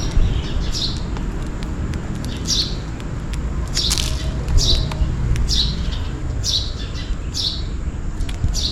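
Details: Sparrow chirps on a rainy day, calling for food. High notes fall in pitch and repeat roughly every second, broken once by a brief burst of broadband noise. A low rumble fills the background.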